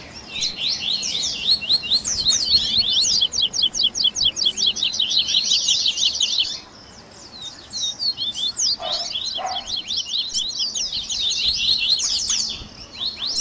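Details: Coleiro song mix of the 'baderna' type, used to train and warm up captive birds: rapid trilled series of high notes repeated steadily for six seconds. A short pause follows, then two brief lower notes, and the high trilling resumes.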